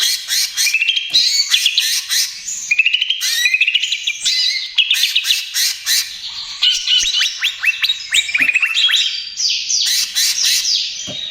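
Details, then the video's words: Greater green leafbird (cucak ijo) in continuous trotol gacor song, used as lure and therapy for other birds: fast, varied run of high chirps, trills and sweeping whistles with brief gaps and abrupt shifts in phrase. "SUARA CUCAK IJO TROTOL GACOR, AMPUH UNTUK PANCINGAN DAN TERAPI"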